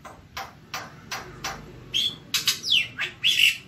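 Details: Javan white starling in nonstop tutor-style singing: sparse scratchy clicks at first, then louder whistled notes, a fast downward-sliding whistle and harsh buzzy bursts, all high-pitched and irregular.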